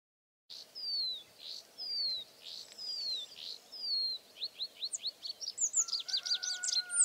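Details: Rock bunting singing from Cistus ladanifer in barren, stony ground with dying rockrose scrub: high, thin notes, first slurred descending strokes, then a quicker run of short sharp chirps and twitters; faint steady background hiss.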